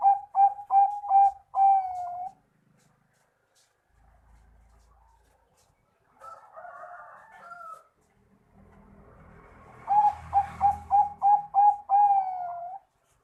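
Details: Bangkok-type zebra dove (perkutut) singing energetically: two bursts of low, mellow cooing, each a run of quick staccato coos closing on a longer rolling note, with a brief scraping rustle between the phrases.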